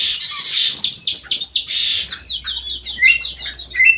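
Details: Black-crested bulbul known as kutilang emas mata putih, singing actively inside an aviary; bright high whistles and down-slurred notes, then a steady string of quick chirps, several birds calling together.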